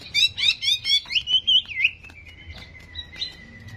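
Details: Greater green leafbird song played to provoke aggression, contest-style: quick rising and falling warbled phrases, then a long, slightly wavering high whistle that fades, with faint low rumble underneath.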